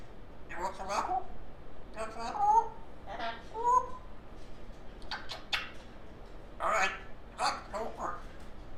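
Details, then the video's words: Young female African grey parrot making all sorts of funny noises: muffled, speech-like babbling phrases with two short rising whistles, over a steady background hiss. "doesn’t just talk she makes all sorts of funny noises"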